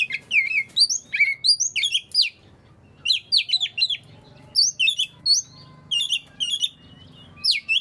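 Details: Song of an Oriental magpie-robin, used to prompt quiet birds of its kind to sing, made of rapid high whistled notes and upslurs in clustered bursts, with a brief gap after two seconds and faint low background hum.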